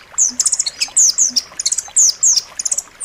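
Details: Blue nuthatch singing a dense, sharp song used to tutor caged songbirds: sharp downslurred high whistles alternate with fast clusters of high chips, each phrase lasting under half a second.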